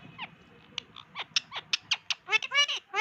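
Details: Indian ringneck parakeet kept as a pet, chattering in mimicked speech: a series of short rising and falling harmonic syllables and clicks that grow louder and more voice-like toward the end, over a low background rumble.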